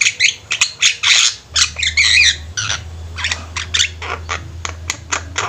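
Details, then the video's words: Javan myna flock kept together, singing busily: harsh, squawky broadband notes in irregular bursts, some overlapping chatter, over a steady low hum. "Burung jalak kebo ombyokan juga bisa gacor"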